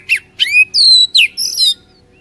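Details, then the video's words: Oriental magpie-robin song played as a trigger to get a reluctant kacer singing: a few bright whistled phrases, some sweeping upward, others dropping, with brief pauses between them. "HARIAN GUNAKAN PANCINGAN KACER INI | KACER MALAS BUNYI CEPAT GACOR"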